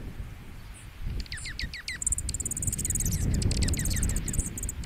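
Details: A junco at -18 °C gives a few sharp downslurred chips, then a rapid, high, even trill of dry pulses, over a low wind-like rumble. Such calls are given when juncos compete.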